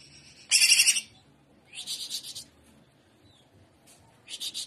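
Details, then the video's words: Greater green leafbird in vigorous trotolan song: three quick bursts of high, rapid, rattly notes, each about half a second, separated by near-silence and a soft background hum. "TROTOLAN CUCAK IJO Paud JAHAT FULL JAMTROK GACOR GAYA UDANG"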